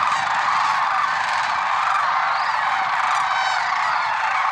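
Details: Dense overlapping rattles and bugles from lesser sandhill cranes at Merced National Wildlife Refuge on an early February 2023 morning, a constant chorus with occasional clearer rising notes.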